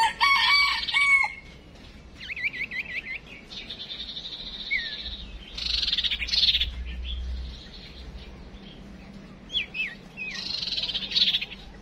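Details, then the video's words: A female songbird serves as a decoy to provoke male song, uttering clear whistled notes, looping warbled phrases and short rising calls, with pauses between bursts. "Chim Huýt Cô Mái Mồi Đấu"Thúc Chim Chuyền Hót Ra Giọng"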